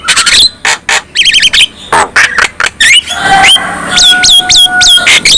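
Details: Black-winged myna singing in a style meant to rouse other mynas into song: rapid harsh chatter and squawks, then a long sustained whistle with repeated downward-curving notes.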